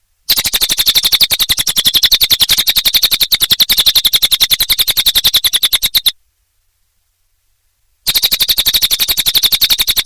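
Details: Cililin bird in full, lively song: a long unbroken stream of rapid, evenly spaced high clicking notes, cut off abruptly into two seconds of total silence, then resuming at the same pace.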